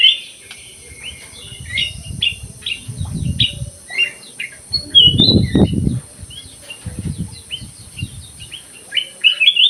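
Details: Black-crested bulbul kept in an aviary, singing actively: a busy stream of short, bright whistled notes and slurred chirps, repeated rapidly throughout, with low thumping knocks in the background.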